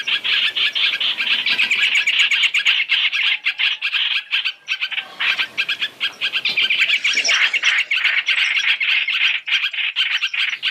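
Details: Masked laughingthrush calls used as a trapping lure, mixed three-in-one: grating, rapid chatter of about three notes a second, with brief dips around the middle before the harsh series swells again.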